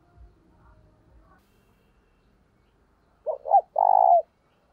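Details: Decoy spotted dove with its luring thúc bổi coo. Faint, low murmuring opens the clip, then a strong phrase comes near the end: two short, deep notes and one long, steady coo.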